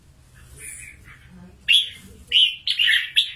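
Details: Wild-trapped red-whiskered bulbul kept as a fighting bird, from Cao Bang, Vietnam; after a quiet start, short loud warbled phrases burst out, rich and slurred, in quick bursts toward the end.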